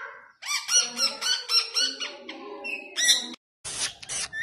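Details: Ringneck parrot kept as a pet, talking in Urdu or Hindi: a quick series of nasal, speech-like syllables with warbling pitch, followed by harsher squawked bursts after a short gap.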